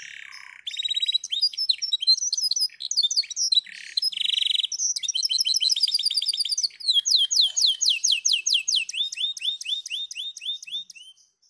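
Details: Male canary (F1 Yorkshire × F1 Scotch Fancy cross) from West Bandung, Indonesia, sings a long, fast medley of high trills, buzzy rolls and repeated chirps, ending in a run of rapid rising whistles.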